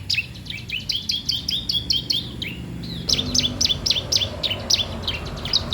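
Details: Bar-winged prinia singing actively, used to teach and attract untrained birds: rapid strings of sharp, high chirps at roughly four per second, continuing without pause through the recording.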